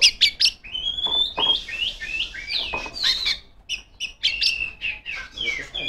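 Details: Singing female Oriental magpie-robin calling rivals: crisp clicks open the clip, followed by long sweeping whistles and quick twittering bursts, loud and varied throughout.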